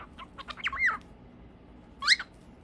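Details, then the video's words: Cockatiels said to be singing happily give a few brief chirps, then a looping, bent call and, after a pause, one sharp, rising-falling squawk. "Calopsitas cantando muito feliz"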